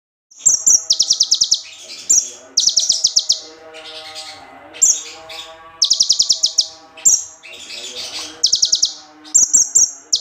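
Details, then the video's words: Bar-winged prinia song used as training material: very high buzzy trilled bursts repeated every second or so, mixed with sharp clicks and a lower tonal hum in the background. "Konin materi ciblek"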